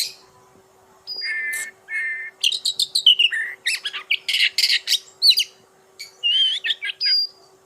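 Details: Kacer poci, an Oriental magpie-robin, singing in its natural voice: two steady whistled notes, then a fast burst of varied scratchy chatter, buzzy trills and whistled phrases, closing with rising whistles.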